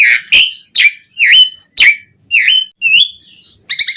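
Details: Asian pied starling in vigorous song with varied fills, used as a lure to get other starlings singing: loud whistled notes that swoop down then up, given about twice a second, ending in a burst of harsh stacked chatter.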